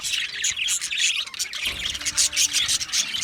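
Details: Australian budgie chatter: bright high chirps and sharp whistled squeaks from several birds, overlapping in an uneven rhythm, with a faint low tone in the background.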